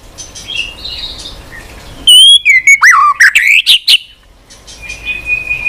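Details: White-rumped shama, tail flicking on its perch, singing a lasting song full of varied voices. Soft whistles give way to a loud, fast burst of clear whistled notes and sweeping slurs, then a faint, thin sustained whistle.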